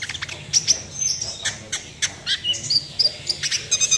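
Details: Energetic 'nembak'-style sunbird song, a rapid string of very high, clipped chirps and short whistled notes with brief gaps, over low background hum.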